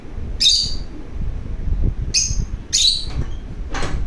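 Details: Pet lovebird eager to play, uttering four sharp, squeaky high chirps within a few seconds. The third is doubled and the last is more drawn out, against a low indoor rumble.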